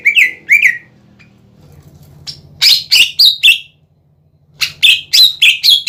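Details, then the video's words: Lively cucak ijo (greater green leafbird) song for provoking other birds to answer: paired falling chirps, a pause over soft hum, then two runs of rapid emphatic whistled notes, roughly four per second. "PANCINGAN CUCAK IJO GACOR"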